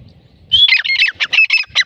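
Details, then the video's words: Grey francolin giving a lively call: a burst of loud, harsh, high squawky notes repeated rapidly after a short quiet start, with faint low rumbling beneath. "Teetar ki masti wali awaz"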